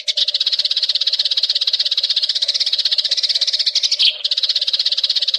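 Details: Wild Eurasian tree sparrow chatter: an unbroken stream of fast, high chirps, roughly three per second, forming a busy buzzing wall of sound over a faint steady low hum, with a brief break near the end.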